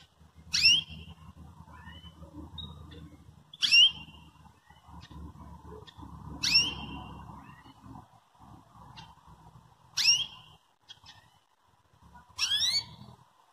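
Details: Belgian canary calling to provoke and train a canary to sing: five sharp descending tweets spaced about three seconds apart, with faint short notes in the gaps over a constant low rumble.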